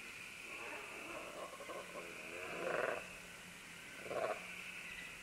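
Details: Green-winged macaws, several birds, calling as they climb down vines: two brief harsh squawks about a second and a half apart over a soft murmuring background and a constant high hiss.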